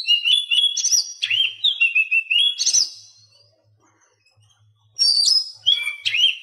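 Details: Oriental magpie-robin song recorded as a training track for silent captive birds. It gives loud, clear whistled phrases with rising and falling notes and sharp chips, followed by a quiet gap and another burst of bright whistles.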